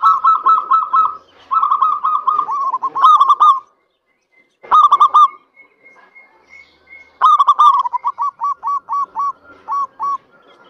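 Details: Local zebra dove (perkutut) singing to lure other doves into song. Rapid, rolling cooed trills break into separate bubbling coos, pause, then resume with a quick series of clipped coos.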